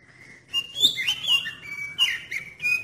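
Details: Lure song of an oriental magpie-robin, used to get other magpie-robins singing: a soft opening whistle, then a varied run of short bright whistles and slurs at a fairly even level.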